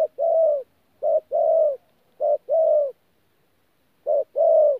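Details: Four clear coo phrases from a wild-caught spotted dove singing 'thổ pha gù' at Tu Mơ Rông, January 2019: a clipped opening note, then a full, level coo, with a gap before the last phrase.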